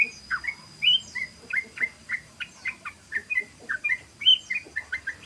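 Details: Sooty-headed bulbul delivering rapid 'ropel' song, used as a lure: an almost continuous string of clear, bouncy, whistled notes, each short and slurred, repeated about three per second.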